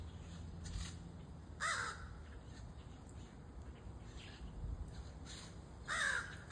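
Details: A crow chick gives two separate rasping caws several seconds apart, each brief and harsh with a downward slur, with low rumbling background noise between them.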